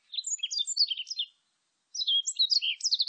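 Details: Warbling white-eye recorded in 2020 giving two quick twittering phrases of high, slurred notes about a second long each, a short silence between them, the second ending in rapid repeated chips.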